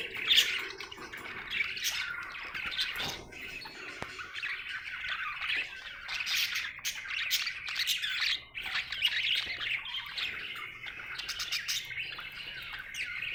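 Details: Happy budgerigar chirping: dense, continuous warbling chatter with scratchy squawks and sharp clicks, held mostly in a high band, no pauses longer than a moment.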